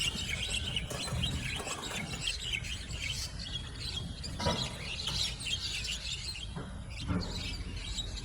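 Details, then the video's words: Javan mynas fighting, a one-on-one duel that grows into a gang fight as more birds rush in, chasing and flapping; dense harsh chattering and squawking notes overlap throughout, with steady background noise and low rumble. "Javan Mynas Birds Go WILD & Turn This Duel Into a CHAOTIC Gang Fight!"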